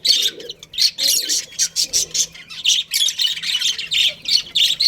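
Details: Loud colony budgerigars, including a breeding pair, give rhythmic harsh chirps and squawks about four per second, steady and insistent throughout.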